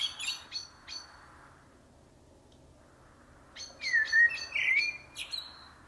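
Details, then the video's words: Blackbird (karabakal) singing: a few sharp high chips, a silent gap of about two seconds, then a rich warbled phrase mixed with bright high twitters. "KARATAVUK SESİ (KARABAKAL)- COMMON BLACKBİRD - TURDUS MERULA"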